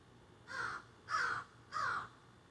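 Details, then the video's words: Crows calling from trees behind a garden, caught on a cell phone: three drawn-out, hoarse caws about half a second apart. "A Jungle Or Crows"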